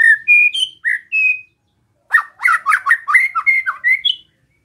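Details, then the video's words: White-rumped shama song to provoke other shamas: a few separate clear whistled notes at different pitches, a short gap, then a fast jumble of rich slurred notes and squeaks. "Suara Besetan Santai Mancing Emosi Murai Lain | PANCINGAN MURAI BATU"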